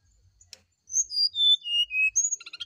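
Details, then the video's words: Morning song of a brown-chested jungle flycatcher: one faint click, then a series of pure whistles stepping steadily downward, a higher whistle, and a quick stuttering chatter to finish. "TERAPI SRDC DI PAGI HARI ,PANCINGAB SRDC NYULING DI PAGI HARI"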